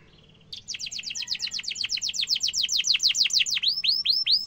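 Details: Canary in full song with sharp rolling, used as a tutor song for young canaries to copy: after a short quiet start, a fast trill of steeply falling notes, then slower upswept whistles, all high-pitched.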